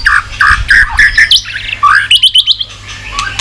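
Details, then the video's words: White-rumped shama, stimulated to sing with tail-flicking, uttering quick repeated whistled notes that climb into a higher trilled series, with sharp clicks between phrases. "chòe lửa tạch đập đuôi sàn cầu dùng kích lửa cho chòe lửa lên lửa cực nhanh hót"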